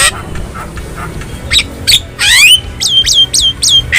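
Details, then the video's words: Javan myna recorded wild in nature for training caged songbirds: soft scattered clicks, then a loud rasping upward-sweeping burst followed by four quick repeated hooked whistles roughly every quarter second. "Masteran Burung Jalak Kebo Jabo Jalbo Asli Alam Liar"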